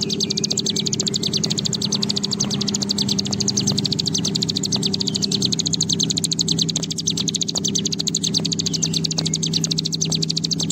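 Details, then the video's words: Long 'ngebren panjang' trilling from a bar-winged prinia, locally ciblek gunung, used as a lure to stimulate other birds: a rapid, machine-gun series of thin high notes that never pauses, over a low hum. "Ciblek Gunung Gacor Ngebren Panjang"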